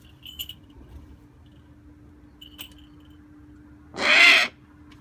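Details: A single Eurasian eagle-owl call: one loud, hoarse, rasping screech lasting about half a second near the end. A steady low hum runs throughout, with a few faint high ticks before the call.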